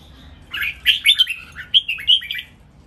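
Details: Red-whiskered bulbuls kept in cages, three matched singers, deliver a short burst of rapid sweet chirping notes, bouncing up and down in quick succession, followed by quiet.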